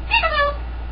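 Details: Pet green-winged macaw indoors, vocalizing: a single harmonic call, rising briefly and then sliding down, lasting about half a second, with a steady low hum beneath.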